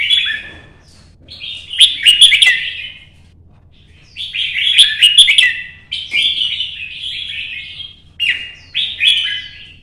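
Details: Pet red-whiskered bulbul in early-morning sun, singing solo in competition style to provoke other birds. Short fluty, warbling phrases come in bursts about two seconds apart, each with sharp clicking notes, separated by brief pauses.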